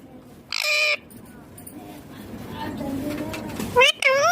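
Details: Pet ringneck green parrot giving a loud harsh squawk, then a quiet stretch of low murmuring before a sharp rising-and-falling harmonic call at the end.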